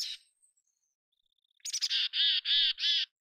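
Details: Mountain chickadee in natural habitat: a brief buzzy note and a faint thin whistle, then a clicky stutter leading into three loud, evenly spaced, harsh buzzy 'dee' notes.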